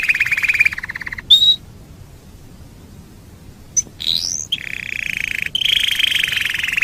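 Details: Canary song from a master recording for training birds: a buzzy rattling phrase, a short whistle, a pause, then a rising slur and long buzzy rolls.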